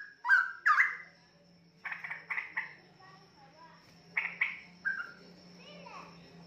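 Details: A young Straw-headed bulbul from a nestmate pair. Two loud slurred whistles open the sequence, followed by softer scratchy note clusters and a few faint warbles over a low hum.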